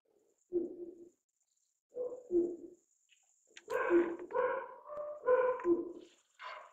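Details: Malayan night heron giving springtime courtship calls outside a house, two deep, hollow hoots about a second apart, then the household dog barks back at it with a run of rough, harsher barks.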